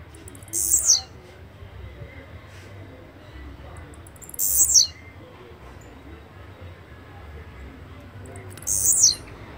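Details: Blue-black grassquit (Volatinia jacarina) singing three times, each phrase a quick, high, buzzy burst sliding downward, spaced about four seconds apart, with a soft background hum.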